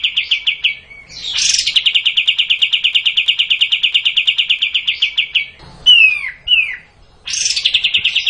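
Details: Extended kapas tembak bulbul song, a long fast chatter of repeated notes, interrupted by several down-slurred whistles, then another high-started rapid series.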